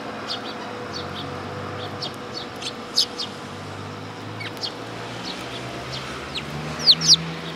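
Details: At a Tenmangu shrine on 1 September 2022, willow tits come to take food, giving scattered high, thin chirps. A few louder, sharper notes stand out, with a pair close together near the end, over a low background rumble.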